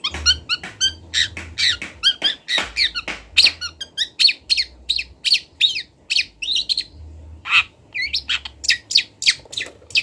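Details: Local long-tailed shrike (cendet) from Kendal, Indonesia, in a master recording used to teach birds sounds: a varied stream of scratchy chattering notes, sharp chips and short whistled phrases with mimicked elements, over a faint low hum.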